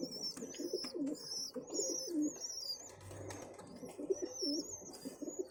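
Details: Young pigeons being fed keep up high, squeaky, rising and falling squeals in regular bursts, mixed with low gurgling sounds from the feeding adults, indoors.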